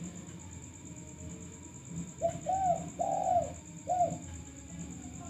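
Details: Chatty male spotted dove, recorded for use as a lure, utters one phrase of four mellow coos after about two seconds of quiet. The middle notes are longer. A high constant tone and low hum sit behind it.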